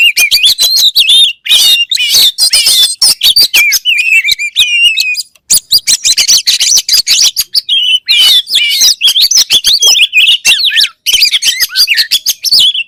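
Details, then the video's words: Loud, rapid song of an oriental magpie-robin, said to set other magpie-robins singing: varied high whistles, trills and sharp clicks in dense bursts with brief pauses. "THE KACER BIRD IMMEDIATELY WORKS AFTER HEARING THIS VOICE"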